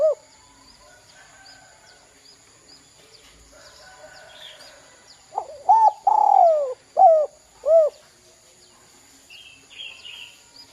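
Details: Spotted dove singing in the "kuk 2" style, played as a lure to stir young birds into calling. After a quiet start comes one phrase: a short rising note, a long wavering coo falling at the end, then two clipped hooked notes. Faint chirps sound around it.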